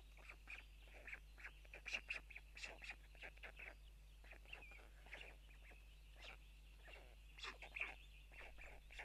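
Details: Feeding time at a white stork nest in Tukums, Latvia, early morning of June 12, parents delivering food to chicks on a live camera; dense clusters of brief harsh scratchy notes, some louder peaks, with a thin tonal hum behind.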